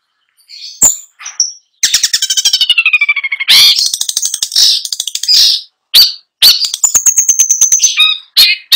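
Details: Long-tailed shrike singing varied filling song: sharp single notes, a long descending series of stacked buzzy pulses, harsh chatters, and a thin sustained whistle amid rapid clicking trills.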